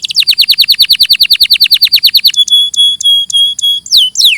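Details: Canary in clear, loud song: a fast roll of about twenty identical down-slurred whistled notes, then slower, longer flat whistles and two falling slides.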